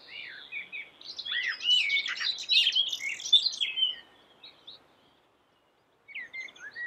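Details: Common blackbird, a black bird with a yellow bill, singing vigorously and melodiously: rich fluted warbling phrases that slide up and down, then a squeaky high twitter. Quiet pause before a new phrase starts near the end.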